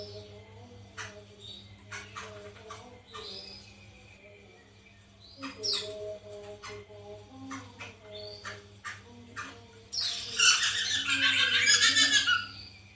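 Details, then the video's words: Captive-bird lure of white-crested laughingthrush: scattered short sharp notes and brief chatters for ten seconds, then a loud, dense, raucous cackling outburst lasting about two and a half seconds. "pancingan Poksay mantel agar bunyi"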